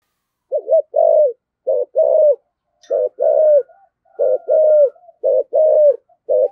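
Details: Low hollow coos of a spotted dove calling as a decoy in 'thổ sấm' voice, paired short and long notes repeating steadily about once a second, with a faint thin tone running above.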